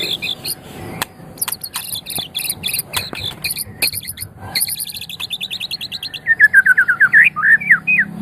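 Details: Magpie-robin giving strings of high thin ticking and twittering notes, then a quicker run of repeated slurred whistled notes in the final two seconds.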